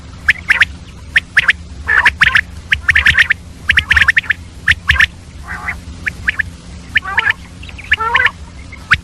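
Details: Female common quail calling early in the morning, mixed with other quail sounds: quick clusters of sharp clipped notes, then lower, softer, rougher calls toward the end, with a faint low hum beneath.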